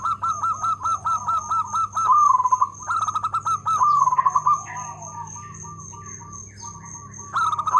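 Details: Local zebra dove singing steadily in a loud voice with good rhythm: quick series of pulsed, rolling coos repeated in several close phrases, fading slightly mid-clip, then a final burst, with a constant high-pitched whine and low electrical hum behind.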